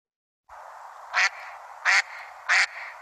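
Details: Mallard giving three loud, harsh textbook duck quacks spaced about two-thirds of a second apart, over a steady background hiss; Mallard is the most harvested duck in Illinois.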